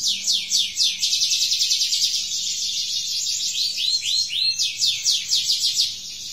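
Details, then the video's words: Singing practice from a learning canary: a fast, steady run of bright repeated descending notes, several per second, forming a ringing trill. Brief swooping notes appear midway, then the rapid repetition resumes. "kenari belajar bunyi"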